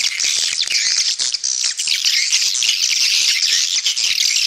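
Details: Lure call for attracting swiftlets and increasing the population: busy, high-pitched chattering of many birds, shrill chirps crowding together in an unbroken stream.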